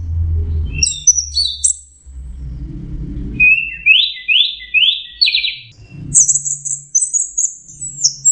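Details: Orange-headed thrush song with a few high chirps, a series of five rising buzzy whistles, then a long high thin whistled phrase; low rumbling noise underneath.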